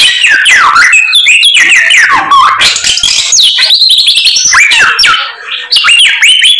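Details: An actively singing white-rumped shama showing off its full repertoire of fill-in phrases, with deep swooping whistles, high rising sweeps and rapid twitters in a continuous flow.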